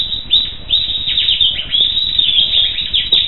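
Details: Black siskin giving a loud, dense stream of high buzzy chirps and twitters that runs without a break through the whole stretch.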